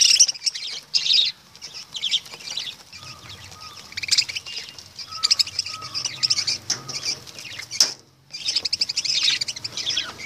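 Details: Lovebirds calling in scattered shrill chirps and squeaky bursts, with a few faint lower whistled notes and a short silent break late on.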